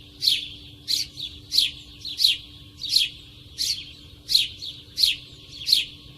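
A sparrow gives bright, sharp chirps, about nine in six seconds at a steady pace, with a faint low hum underneath.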